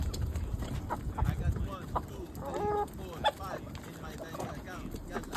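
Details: Hens clucking softly, with one drawn-out tonal call at mid-recording and a few short clucks around it, over a low background rumble.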